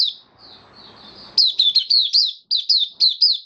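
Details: Caged white-eye singing on 18 May 2022, after regular deworming treatment and health supplements: after faint soft notes, a fast run of bright, high, downward-slurred chirps, about eight in two seconds, each sharply separated.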